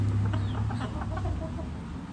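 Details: Chickens and roosters dirt bathing, with a close run of quick, low clucks repeated several times in two seconds over a deep hum.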